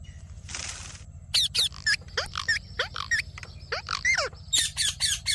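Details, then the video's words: Talking ring-necked parakeet giving a rapid series of short, sharp, high squeaky notes in bursts, after an opening hiss of noise, over a steady low background hum. "Amazing Parrot Video Talking"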